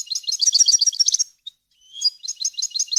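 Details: European goldfinch song, a clean tutoring recording for teaching young birds and goldfinch hybrids to sing: fast twittering high notes packed in a rapid run, a brief pause, then another tinkling burst; no other sounds.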